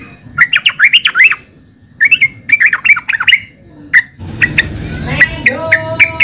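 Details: Yellow-vented bulbul delivering rapid gurgling phrases of looping notes, then sparser calls over rising background noise and a steady whistled tone near the end.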